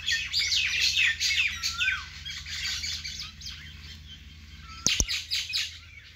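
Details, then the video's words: Natural bird sounds in a vegetable garden, a busy chorus of high chirps and twitters from several birds, a short slurred whistle near two seconds, and a sharp click near five seconds. "natural bird sound"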